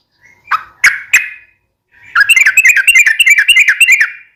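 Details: Yellow-vented bulbul singing for a cage-bird training recording: a few separate sharp notes, then a pause, followed by a sustained run of fast, bubbling chatter.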